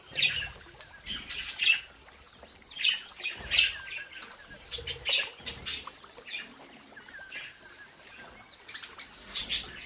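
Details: Several budgerigars kept in a home breeding aviary give short high chirps and warbles at irregular intervals, with a few louder peaks and some softer chatter between, over constant background hiss.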